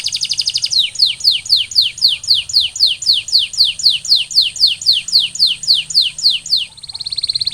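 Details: Canary singing to encourage other canaries to sing, delivering a long regular run of downslurred notes at about four per second after an opening trill, closing on a soft fast roll.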